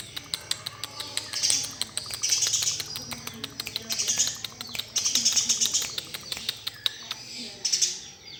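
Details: Eurasian tree sparrow master recording for training: bursts of high, thin chirping twitters in clusters of about half a second, separated by sharp clicking ticks and brief pauses, with a faint low background hum.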